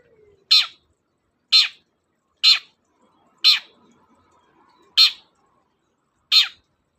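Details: Long-tailed shrike in a lure recording to stimulate reluctant shrikes: six loud harsh rasping calls, each dropping in pitch, given roughly once a second at an uneven pace, in a quiet setting.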